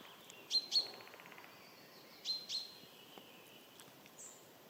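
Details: White-backed Woodpecker in Sweden giving sharp, high 'kik' notes in two quick pairs about two seconds apart, then one fainter note, over a steady high hiss.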